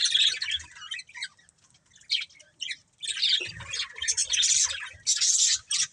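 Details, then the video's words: Several pet budgerigars chirping in bursts of bright, scratchy high chatter with short squawky notes, broken by brief pauses, with faint low thumps underneath. "Cute Budgies Chirping Sounds"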